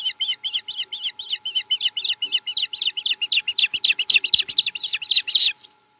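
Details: Osprey at a nest in Chesapeake on 7 April 2020, around a snack: a fast series of high, shrill chirps, about four each second, steady and growing louder before stopping abruptly.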